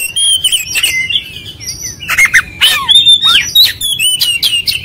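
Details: Oriental magpie-robin singing a varied sequence of clear whistles, short slides and rough chatter, delivered in loud bursts separated by brief gaps.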